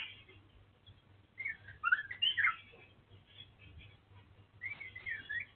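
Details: Fainter bursts of twisting whistles and chattery notes from the dark wulung Oriental magpie-robin, delivered in two short clusters separated by a quiet pause over a low background hum.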